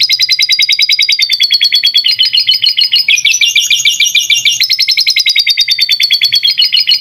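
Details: Canary master recording with lovebird-style fill-ins, aimed at young birds: a continuous, very rapid rolling trill about three notes per second, stepping up and down in pitch across several sections.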